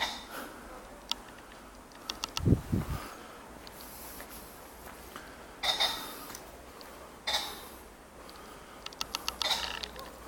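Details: A male ring-necked pheasant courting a female in Songcheon-dong, Jeonju, North Jeolla, Korea, gives two harsh, raspy crowing bursts about two seconds apart, among scattered clicks and ticking sounds and a dull low thump.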